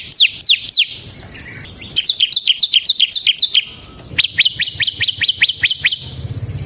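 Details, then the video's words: Bar-winged prinia, semi type, singing to lure and train other birds: scattered high descending notes, then dense fast trills of sharp chips, and a final series of rising-falling whistles, with a low rumble near the end. "suara burung CIBLEK SEMI GACOR Ngebren Ampuh untuk Pancingan Ciblek Kristal dan Masteran Ciblek"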